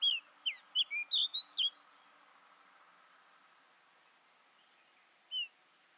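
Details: A female Pied bushchat (Saxicola caprata) at Ooty in November 2021 gives a quick burst of six or seven high, thin chirps and whistles within two seconds, then one lone note after a pause.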